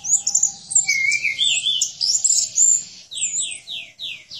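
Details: Orange-headed thrush in vigorous 'gacor' song, kept as a cage bird and used for training other birds: dense high whistled and buzzy phrases, then a run of five rapid falling slurred notes near the end.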